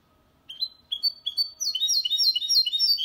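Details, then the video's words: Goldfinch and canary hybrid song, clean and without errors, used to spur males to sing and for chicks to memorize; a few spaced, rising whistled notes lead into a rapid, continuous stream of high twittering. "Mixto de Jilguero Cantando Limpio 2022 para Estimular"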